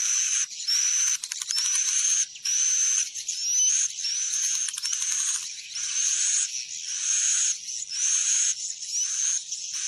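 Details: Swiftlet call broadcast to attract swiftlets to a roosting building; steady series of harsh high buzzy notes, each opening with a rising whistle, roughly one per second.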